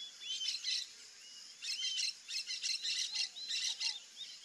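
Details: Rufous-tailed jacamar: repeated bursts of rapid, high, sharp notes mixed with thin rising whistles, pouring out almost continuously, plus a couple of soft lower descending whistles, over a steady high insect drone.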